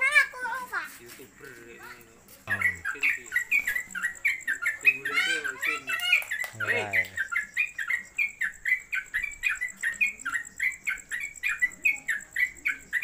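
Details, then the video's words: Sooty-headed Bulbul in cage, rolling song used for tutoring: after brief talk and other calls, a long brisk chain of sharp chirps at a rapid pace, with a faint steady whine and overlapping voices. "Trucuk Konslet Kemedol Berdurasi Pendatang Baru Cocok Masteran"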